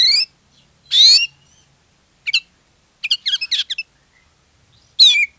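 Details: Oriental magpie-robin singing as a lure for other magpie-robins: harsh buzzy rasping phrases alternate with a quick cluster of short slurred chips, then a final rasp ending in a whistle.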